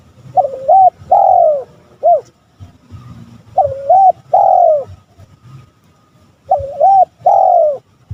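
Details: Male spotted dove calling to provoke rivals: a low hollow three-part coo, two short notes then a longer drawn-out one, repeated roughly every three seconds, with faint low background rumble.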